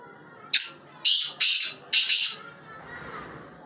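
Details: A black francolin gives a harsh, grating phrase of four rasping notes over about two seconds, the first short and the rest longer and buzzier.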